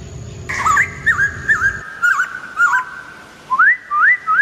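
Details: Wild White-crested Laughingthrush with short looping whistled notes that bend up and down, then a run of three rising whistles near the end; a low hum drops out partway through.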